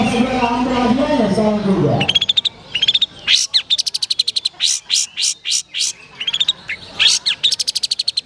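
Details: Long-tailed shrike competing in a bird singing contest: after a man's speech, bursts of rapid chattering trills and sharp chirps, repeated in quick clusters with short pauses.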